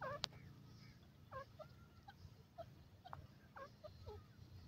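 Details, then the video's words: Grey francolin (called Dakhni teetar or Indian francolin) calling at home: a series of harsh, nasal, hooked notes roughly every half to one second, over a steady low hum. "teetar calling"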